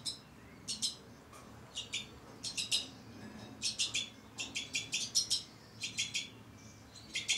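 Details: Two-barred crossbills, a captive breeding pair with young, give short dry chirping calls in quick bursts of three to five notes, repeated with brief pauses; no other sounds stand out.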